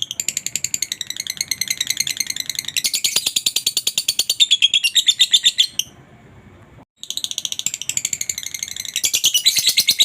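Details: Lovebird calling to stimulate other lovebirds to sing: dense, high, buzzy chattering made of rapid repeated chirps, pausing for about a second before resuming just as intensely.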